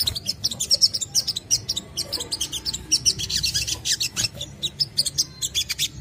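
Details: A crimson sunbird's fast, chattering song, played to prompt other sunbirds to sing: continuous quick, high, squeaky chirps repeated several times a second over a soft low hum.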